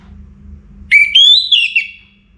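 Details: Orange-headed thrush singing ahead of morning: a clear whistled phrase that jumps upward, climbs steadily through several joined notes, then breaks into a couple of short flourishes before fading.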